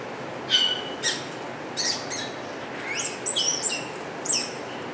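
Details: Wattled starling (Creatophora cinerea) singing in Alphen aan den Rijn, Holland: a squeaky, scratchy run of short high notes and thin whistles, spaced irregularly about every half second, against a faint steady hiss.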